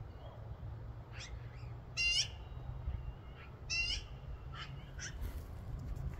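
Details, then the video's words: Magpies giving specific calls that the owner, from years of observation, links to the start of nesting and egg-laying, recorded far away on 13 April 2024 in spring: harsh, rattling bursts a couple of seconds apart, thinner chirps between, over low wind or traffic rumble. "Magpie nesting calls"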